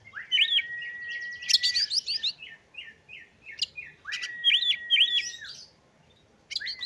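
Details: Oriental magpie-robin song meant to stir other magpie-robins into singing: long flat whistles overlaid with rapid looping, chattering notes, a quick descending series of chips, then the whistled phrase repeated after a pause.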